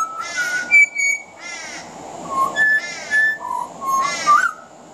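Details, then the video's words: Pied butcherbird singing on a veranda, mixing mimicry of other Australian birds into its song: four grating, rasping bursts interleaved with pure whistles and short fluty notes, the last rising. "Mimicry of the pied butcherbird"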